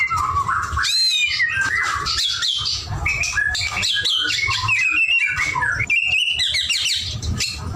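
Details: White-rumped shama in full, vigorous song, pouring out varied whistles, quick trills and chattering notes with almost no pauses, set against faint low background noise.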